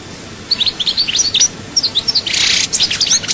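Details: European goldfinch from Souk Ahras singing a bright, rapid twittering song of high tinkling notes and short buzzy bursts, delivered in quick phrases with brief gaps.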